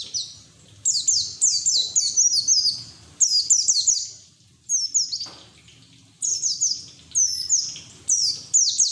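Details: White-eye singing fast and at length with an open bill, used to coax other white-eyes into song: bursts of high, thin, downslurred twittering notes, each burst about two seconds long, separated by short pauses.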